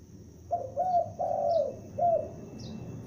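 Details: Loudly calling young spotted dove kept as a lure: a phrase of four soft, low coos, short-short-long-short, with a faint high chirp behind.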